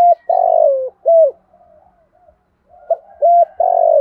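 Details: Spotted dove giving a full cooing sequence: a long falling throaty coo, a clipped note, a pause, then two short notes leading into another drawn-out descending coo.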